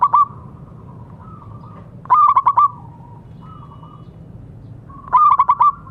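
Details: Singing local zebra dove, offered as therapy for doves that have stopped calling. Three bursts of four or five fast, soft, throaty coos, each ending in a lower held note. Quieter wavering coos sit between the bursts.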